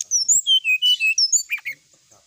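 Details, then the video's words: Brown-chested jungle flycatcher song used to provoke rival birds: clear whistled notes stepping down from high to lower pitch, then a few buzzier, lower chirps trailing off. "suara pancingan srdc agar lawan cepat emosi gacor"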